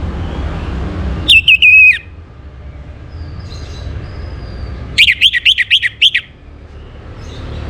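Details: Orange-headed thrush morning song, used to bring birds into breeding condition: a brief falling whistled phrase, a pause, then a quick series of about six bright repeated notes.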